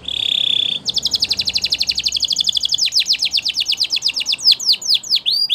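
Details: Belgian canary training song beginning with a pure steady tone, then a long rapid trill of repeated notes that slows into larger descending whistled sweeps.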